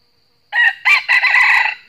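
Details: A northern wild red junglefowl cock answers a trapped decoy with a fierce fighting crow. After half a second of quiet comes a loud, raspy crow: a first note, a pause, then a run of strained syllables, with another crow starting at the end.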